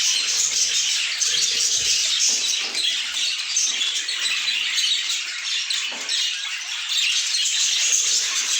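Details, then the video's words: Crowd of budgerigars chattering constantly, high twittering and squeaky calls layered over each other, with a few soft lower thumps among the continuous chorus. "A Symphony of Budgies"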